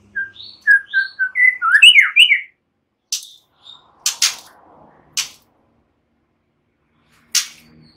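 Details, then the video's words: Murai batu, the white-rumped shama, in relaxed song copying cililin and ciblek, kept for training songbirds: a quick string of short whistles and slurred notes, then scattered sharp clicks with pauses. "Ocehan SANTAI MURAI BATU, NEMBAK CILILIN SAMBUNG CIBLEK"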